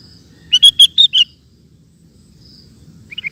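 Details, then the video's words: Gacor song of a sooty-headed bulbul for teaching kept birds: one bright phrase of five liquid, slurred notes in under a second, then quiet and a soft short note at the end, over a low hum. "Suara Burung Kutilang Gacor"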